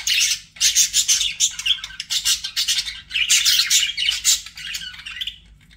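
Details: Budgerigars kept as pets chirping loudly and continuously, a fast run of bright, buzzy notes and squeaks that eases off at the end.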